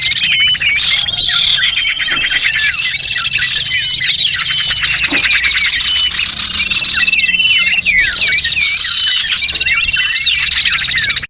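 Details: Small birds heard in a lure track for catching small birds. Constant overlapping twitters, trills and looping whistled notes from many birds fill the whole stretch without gaps.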